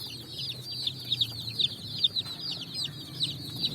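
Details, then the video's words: Colourful chicks foraging on sand in the evening, many peeping at once in a shrill, continuous stream of short falling notes with some louder peeps standing out. "Beautiful Colors Chicks Jumping n Running up On Sand Video Compilation With "Chicks Chirping" Sounds"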